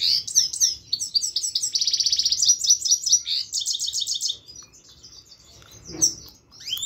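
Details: A Himalayan goldfinch sings a lively twittering song with quick high chirps, a buzzy rattling trill near the middle and clipped repeated notes, then it tails off into softer scattered calls and a faint low sound.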